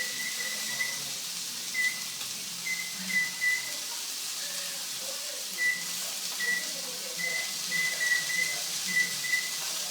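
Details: A pet cockatiel in the kitchen whistles short, steady, high beeps in irregular bursts, copying a microwave's signal tones.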